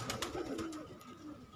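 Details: Brief, throaty coos from hobby-kept pigeons, sliding downward. A couple of wing-flap clatters come at the start.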